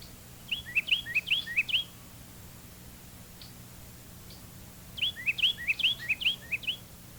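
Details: Two- and three-noted song of the Carolina wren, noted for extreme variability: two clear bursts of rapid, rolling whistled phrases repeated about eight times each, separated by a pause of roughly three seconds, over low tape hum.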